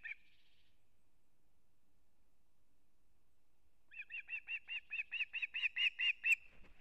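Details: An osprey at a nest in an old bent pine in Kurzeme, Latvia, on 3 September 2024, as the male brings a whole fish for the chick: a short whistled note, then a quick, louder series of about a dozen high, clear chirps.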